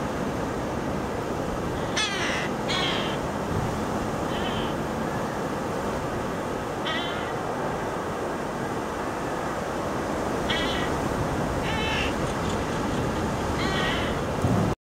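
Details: At Cañete, Lima, Peru, on 09-10-15, Inca terns (Larosterna inca) give harsh, rasping squawks in short bursts every second or few seconds, against a steady roar of surf or wind.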